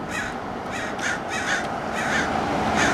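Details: American crows mobbing a red-tailed hawk perched at a roadside in Del Monte Forest, California, with dive-bombing attacks; harsh, hoarse caws repeated in quick succession, about five in three seconds, over steady background rumble.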